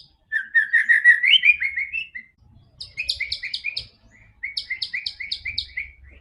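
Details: White-rumped shama singing to coax a silent bird into song: a rich rising warble, then bursts of rapid repeated chirps broken by short pauses. Faint low background noise.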